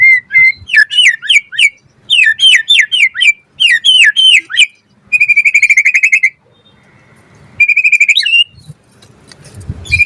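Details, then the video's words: Vigorous white-rumped shama song used to lure other shamas into singing: fast groups of sharp sliding chirps, then a buzzy rapid trill, a flat whistle, and a rising whistled phrase. "Pancingan Murai Batu Gacor Auto NYAUT cepat Bunyi"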